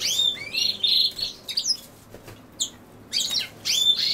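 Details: High, sparkling European goldfinch song linked to common sow-thistle: rapid chirps, slurred whistles and buzzy trills in bursts, with a few isolated notes between.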